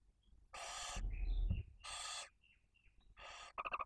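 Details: Barn owl nest in Cabañeros National Park, with a female, two chicks aged one and four days, and a mouse being eaten. Three rasping hisses interleaved with soft high twitters, low shuffling thumps, and a closing burst of rapid chattering notes.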